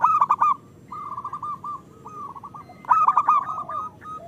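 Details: ['Local zebra dove song for luring idle doves into singing: a bright bubbling burst, a steady series of small rolled coos, then another loud rippling phrase.']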